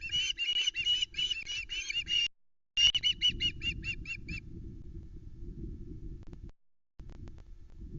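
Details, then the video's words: Young osprey begging for fish on the Loch Arkaig nest, 17 August 2020: two seconds of strident, ringing screams, a brief gap, then a quickening series of sharp, shorter notes fading out, leaving wind noise. "Vociferous Vera gets a fish delivered to the Loch Arkaig Osprey nest"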